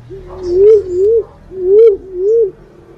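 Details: A Black-naped fruit dove, recorded as a lure sound, gives four low, soft, wavering coos in two pairs, each about half a second long, over a faint low hum.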